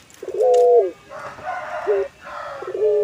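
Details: Puter pelung ornamental collared dove cooing: one short level coo falling at the end, followed by softer, noisier coo fragments and a final rising note.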